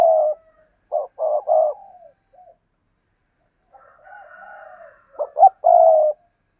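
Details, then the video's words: Spotted dove cooing in low, soft phrases: a coo at the opening, a triple-note phrase soon after, a stretch of faint murmuring, then clipped notes leading into a long closing coo. "cu gáy"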